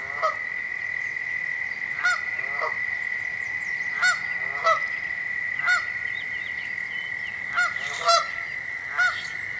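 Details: A Canada goose standing on an arbor calls out danger with loud, harsh honks, singly or in quick pairs, roughly every second or two, over a steady high insect-like drone.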